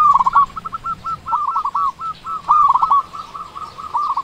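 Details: Local zebra dove with a big, chatty voice, kept as a lure to provoke quiet doves. It gives a continuous run of quick, stuttering, trilled coos at an even pitch, broken into short phrases with brief pauses.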